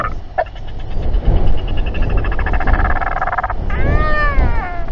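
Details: Royal albatrosses at a group gathering and fight, filmed by a nest camera in New Zealand at 7:42 pm on 27 January 2021. A harsh, pulsed rattling call lasts about three seconds, then a drawn, wavering harmonic moan follows, over heavy wind rumble.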